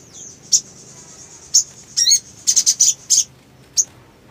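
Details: Sogon or black sunbird uttering scattered thin high notes, a quick downward-slurred twitter, then a tight cluster of bright chips, against quiet background; a recording for birahi therapy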